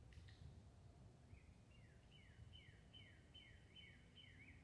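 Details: Cardinal birds chirping calmly: after a brief pause, a string of about eight down-slurred whistles follows at an even pace of roughly two per second, set against soft, constant outdoor noise.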